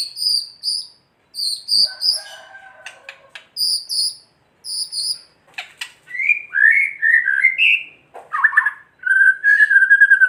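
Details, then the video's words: White-rumped shama kretekan, a song played to stir other shamas into agitated singing. Paired high thin notes repeat, then scratchy clicks, then a varied run of warbled and whistled phrases ending in a buzzy trill. "Kretekan murai batu gacor AMPUH memancing murai batu agar EMOSI"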